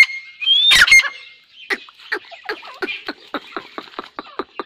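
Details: Dakhni grey francolin pair in breeding season 2021: one bright rising whistle with a harsh burst, followed by a quick run of dry clicks and softer notes tapering off.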